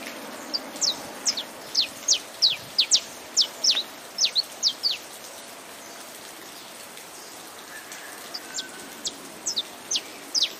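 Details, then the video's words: Saffron finch song over rain: bursts of piercing, fast down-slurred chips in ragged groups, a quiet gap of a few seconds, then further short chip phrases, all against continuous rain hiss. "CANTO; CANÁRIO-DA-TERRA"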